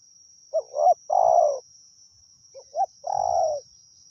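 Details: Wild spotted dove singing continuously while being lured with a decoy in Thailand. There are two phrases, each a short rising double note and then a long warm coo. Soft low thumps and a steady high whine are also audible.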